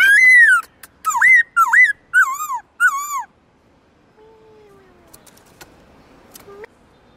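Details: Black-throated laughingthrush, a kept songbird, singing in its varied wild-style voice: five loud whistled notes with a dip and a downward slur, each about half a second, then near silence with a faint low tone.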